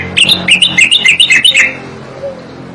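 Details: Striated grassbird song for training cage songbirds: a quick, buzzy, undulating series of bright slurred notes lasting under two seconds, then fading into quiet room noise.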